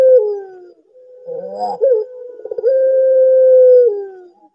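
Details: Barbary dove, a bird some find eerie-sounding and that calls both day and night; a dropping coo, a rolling trill of pulses, then a long sustained hollow coo falling away at its close.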